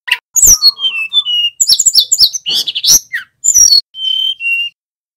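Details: Male tledekan gunung in full 'nyiul' song. Fast clustered chirps and clicks are broken by descending whistles and end with two level whistled notes before silence.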